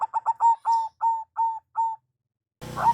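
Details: Local zebra dove, used as a lure call: rapid series of short cooing notes quickening at first, then four longer, evenly spaced coos, a pause, and another coo beginning amid background noise.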